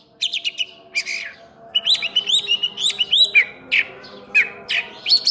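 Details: Oriental magpie-robin (cincim pala) singing actively with full-isian content: a few quick high notes, then a long string of bright, upslurred chirps, closing with separated rising whistles.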